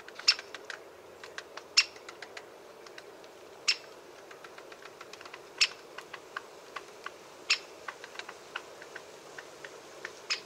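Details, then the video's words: Great Spotted Woodpecker (Dendrocopos major) giving sharp, clipped "kik" notes about every two seconds, with many fainter ticks and taps scattered between them. "O canto do pica-pau-malhado-grande"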